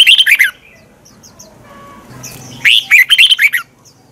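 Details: Morning lure song of a red-whiskered bulbul in the twisted-voice fighting style, meant to provoke other birds: a short burst of rolling warbled notes, a near-silent pause with faint chirps, then a longer, livelier phrase.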